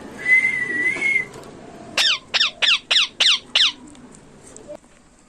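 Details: Ringneck parrots; a one-second whistled tone, then six sharp, downward-sweeping squawks in quick succession, about three per second, and a faint click near the end.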